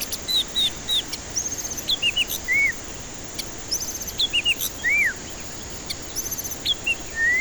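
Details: White-rumped shama singing as a lure for stressed birds that won't sing: varied melodious whistled phrases, pure steady notes and downslurs, delivered in separated bursts over a steady hiss.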